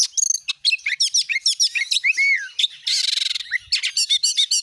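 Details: Oriental magpie-robin lure song intended to set other magpie-robins singing, with crisp whistles, rising and falling slurs, a drawn-out descending note and a long harsh buzz followed by rapid chirps.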